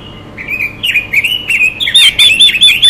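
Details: Female Chinese hwamei calling to stir males into singing: a continuous run of fluid, wavering whistled notes that grows louder and more rhythmic toward the end.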